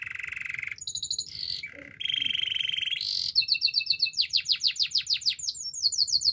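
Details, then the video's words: Canary song in quick phrases: a sustained mid-pitched trill, a lower rolling note, another long trill, then bright descending whistled notes repeated rapidly in series. "Your canary will sing everyday fullspeed"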